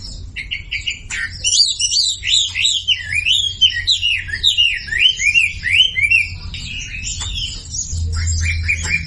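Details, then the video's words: Lure song of a Sumatran leafbird for prompting quiet birds: a few clipped notes, then a rolling chain of wavy, slurred whistles, about two or three phrases a second, ending in short repeated chirps. "SUARA MASTERAN WAMBI UNTUK YANG DIAM IKUT KICAU"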